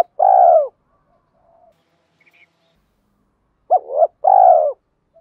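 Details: Lure spotted dove cooing to draw other doves: a long falling purred coo, a pause, then a short two-note coo followed by another long vibrating coo.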